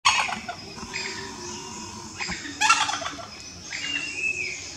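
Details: Sri Lankan junglefowl (Gallus lafayettii) at Kitulgala, Sri Lanka, gives harsh, ragged crowing bursts, one at the start and a louder cluster near the middle, with a thin rising whistle from another bird toward the end.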